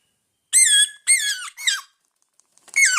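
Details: Hungry pet parrots indoors calling in three harsh, raspy bursts, each with a falling, layered tone. A pause follows before a fourth loud squawk starts at the end.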